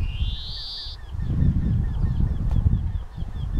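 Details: Greenfinch song opening with one long, drawn-out rising buzzy wheeze, followed by faint repeated chirping notes, all against heavy low wind rumble.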